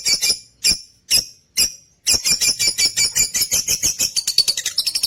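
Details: Lutino opaline lovebirds kept in a cage: a few spaced, sharp high chirps, then a rapid, continuous stream of scratchy squeaks that speeds up toward the end.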